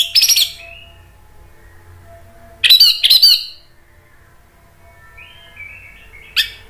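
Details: Orange-headed thrush giving provoking lure song to make other thrushes answer: a scratchy burst, a pause with a faint thin note, two loud chattering phrases, soft warbling, then a final sharp chip.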